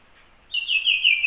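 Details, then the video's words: Common iora, locally called sirpu or cipoh, said to sing day and night; a single clear, high whistled note held steady and sliding slightly downward after half a second of quiet. "burung sirpu/cipoh siang malam tetep gacor"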